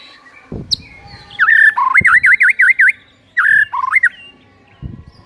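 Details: Lively white-rumped shama song meant to set other shamas singing: a slurred whistle, then a loud string of rapid V-shaped swooping notes, a pause and two more rising-falling phrases, with a few dull thuds.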